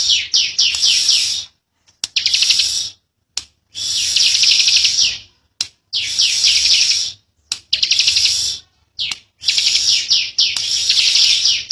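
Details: Bar-winged prinia (ciblek), a young bird, giving a persistent, long, tight 'ngebren' buzzing song: dense, high-pitched buzzy bursts lasting one to two seconds, separated by short silences, with faint chirps in between.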